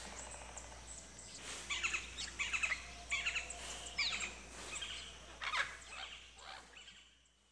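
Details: Common green magpie calling in the wild in its natural habitat: a series of loud, harsh, chattering squawks in clustered bursts about once a second, fading at the end, with a steady low hum underneath.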